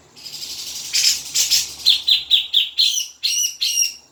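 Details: Grey-cheeked bulbul song played to coax a caged bird into singing: rough, buzzy bursts leading into a rhythmic series of bright, chirping notes, roughly three per second.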